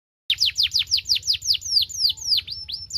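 A saffron finch sings a fast series of sharp, high, down-slurred chirps, about four a second, the later notes stretching into a thin held whistle. A low hum runs underneath.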